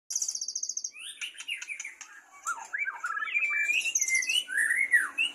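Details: White-rumped shama from a captive breeding stock with many offspring, singing: a rapid trill of high repeated notes, then a varied run of slurred, rising and falling whistles and sharp chips, loud and clear with no other sounds.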